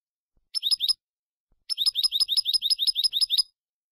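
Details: European goldfinch song, malagueño style, recorded for teaching young birds to sing: a short burst of three bright, slurred high notes, a pause, then a long fast run of repeated twittering trills.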